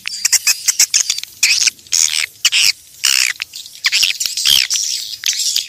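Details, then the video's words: Swiftlets recorded in nature, a calling sound for luring swiftlets: dense bursts of high, shrill twittering chirps in quick clusters, broken by short silent gaps, with several birds overlapping. "SUARA PANGGIL BURUNG WALET ASLI DARI ALAM/suara bersih"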